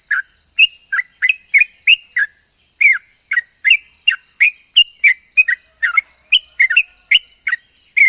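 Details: Sooty-headed bulbul delivering long ropel song, said to make other bulbuls answer: rapid chattering whistles, two to three per second, alternating rising and falling slurs, over a constant high-pitched hiss.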